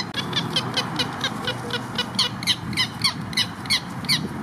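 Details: Purple gallinules at Lake Hollingsworth in Lakeland, Florida, near their nest building, asserting pecking order within the group: a steady run of sharp, nasal clucks, about three per second, over wind noise.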